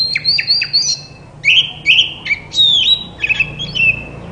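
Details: White-rumped shama song intended to make quiet shamas sing back: clear whistled notes with sharp falling strokes and long level slides, repeated in short phrases.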